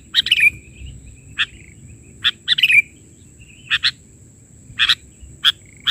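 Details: Sooty-headed bulbul in steady, chatty filler-song mode, 'bahari' style: short paired chirps spaced about a second apart, two phrases ending in sliding whistled notes, and a continuous faint high-pitched whine in the background.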